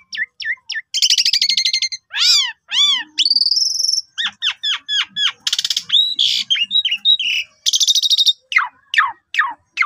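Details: Asian pied starling lure song for other birds, rich and long: sharp hooked chirps, harsh buzzy bursts, arched rapid notes, a high held whistle and a fast series of clicks and slurs.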